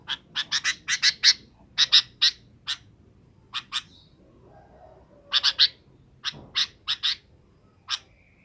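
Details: Sooty-headed bulbul calling in the afternoon to summon companions to roost: rapid bursts of short, harsh chips, clustered in quick runs of three to five with pauses between, over faint low background hum.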